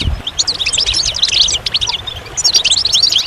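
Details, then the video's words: Goldfinch song: a crisp burst of fast, sweet twittering chirps and short slurred notes, a brief pause, then another twittered phrase. "Magical Goldfinch Songs"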